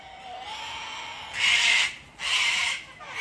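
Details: Flock of wild cockatoos hand-fed on a deck in Australia in cold, wet winter weather; two loud, rough screeches follow each other closely over a faint background hum.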